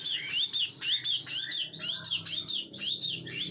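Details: Plain-throated sunbird with a chatty 'ngebren' song: a stream of high, swooping whistled notes that slur up and down, overlapping into a continuous twittering warble.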